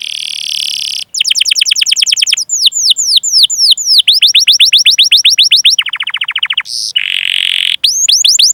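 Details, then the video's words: Long canary song for luring and teaching other canaries: a buzzy opening tone, fast runs of falling chirps, a clipped trill, a short buzzy band, then more sweeping chirps. "Masteran Suara Burung Kenari Gacor Panjang cuit cuit Ngerol untuk Pancingan Kenari!"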